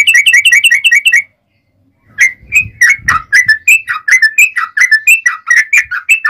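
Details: Yellow-vented bulbul opening its long, fast 'ropel panjang' fighting song with a rapid bright trill, then after a brief silence continuing with quick, gurgling warbled notes over a faint rumble.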